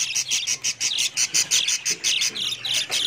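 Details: Budgerigars giving high, bright chirps in a steady rhythm of about two per second, each note short and sharp, over a faint low hum.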